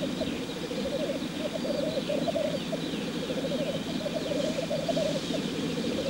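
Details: Male black grouse at a lek display, giving a continuous low bubbling, cooing roll of rapid rising and falling notes, several birds overlapping steadily throughout, with faint higher calls in the background.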